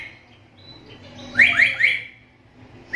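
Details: Black-capped lory giving its call, described as unusual among lories and good for tutoring songbirds: a faint soft note, then three quick, loud downslurred notes in a row, with another starting at the very end.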